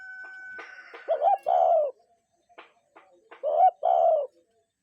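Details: A real cuckoo gives two phrases in natural quiet, each a brief hooked note and a longer falling note, after a thin steady tone that fades out at the start.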